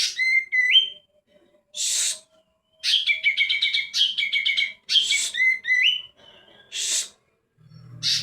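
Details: Greater green leafbird singing rapid runs of whistled notes with sliding upslurs, broken by harsh rasping bursts.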